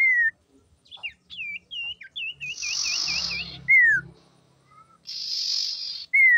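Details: Common iora female singing, used to lure and rouse males: clear downslurred whistles, then a quick run of five wavy chirps over a harsh buzz, another falling whistle and a second buzzy rasp.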